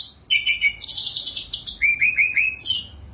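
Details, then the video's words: Sunda robin singing continuously from its perch in a cage, song full of fill-ins: a dense high trill, then four quick downslurred whistles and a rising squeaky flourish. "Tledekan Gunung Gacor full diam di pangkringan||| isian mewah..."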